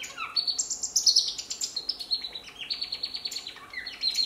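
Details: A male African silverbill sings a thin, high twittering song of rapid chirps and trills, steadily repeated with slight rises and falls in pitch.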